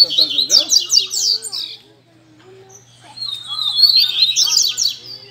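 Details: Coleiro (rusty-collared seedeater) kept caged, recorded at a Sunday-morning bird gathering: bursts of rapid high chattering song, a pause with low murmured sounds, then another long trilling phrase.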